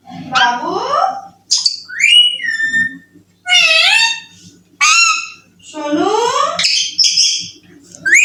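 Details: Young pet Alexandrine parakeet indoors, talking and saying "I love you": a run of harsh, harmonic, speech-like phrases with sliding and arching notes, some squeaky high chirps between them, separated by short pauses.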